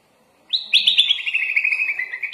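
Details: A sooty-headed bulbul gives a full, lively master song with imitated phrases. After a brief silence a long unbroken warbling trill of sharp whistled notes starts and carries on steadily.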